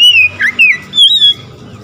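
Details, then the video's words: An oriental magpie-robin sings on hearing another magpie-robin: sweet whistled phrases, first falling, then a brief twisting warble, then a long steady high whistle. "SEKETIKA MENDENGAR KACER LAIN LANGSUNG IKUT GACOR"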